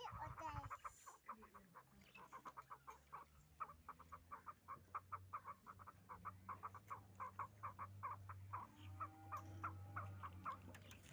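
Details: Hybrid fighting chukar partridges calling: a long run of short, sharp clucking notes, several per second, keeps a steady rhythm throughout over a constant low hum.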